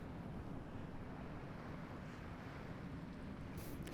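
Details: Only a steady low rumble of wind or handling noise, with a brief crackle at the very end and no animal calls.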